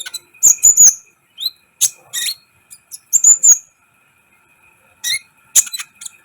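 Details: Kolibri ninja sunbird in full song, used as a training recording to excite other birds: sharp, very high chirps and short whistled trills in scattered bursts, with a faint steady high hum behind.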